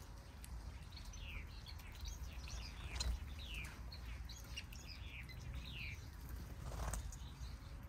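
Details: Caged Siberian goldfinches in an aviary: soft, clear, downward-sliding chirps come in scattered short bursts through the recording over a steady low rumble of background noise.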